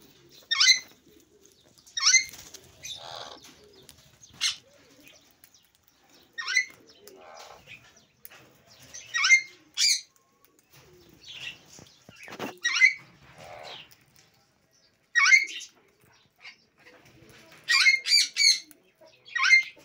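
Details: Sun conure breeding pair with three young eating sunflower give loud, harsh, shrill screeches, repeated every second or two.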